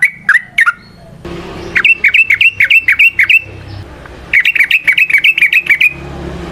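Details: Yellow-vented bulbul in lively rolling song for luring other trucukan: brisk series of bubbly, slightly dipping whistled notes, about three per second, in two runs after a few opening chirps.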